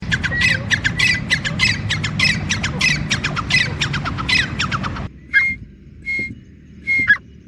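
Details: Grey francolin, with several birds playing on the ground: dense, rapid squawky calls with ringing notes near the same pitch for five seconds, then three separate clear, slightly rising whistled notes after a sudden drop in background noise.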